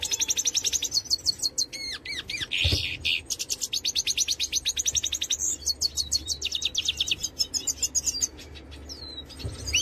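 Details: Major goldfinch singing: long sequence of fast metallic trills, scattered whistled slides and a harsh nasal burst, pulse rate changing between phrases, with soft low background noise.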